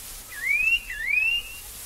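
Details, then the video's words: A Restless Flycatcher gives two clear, rising whistles in quick succession, each sweeping upward and lasting about half a second, against a quiet background. "Restless Flycatcher"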